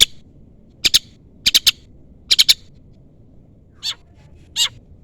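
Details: Long-tailed shrike calling to provoke a rival: sparse harsh notes in pairs and triplets separated by pauses, ending with two softer, lower descending notes.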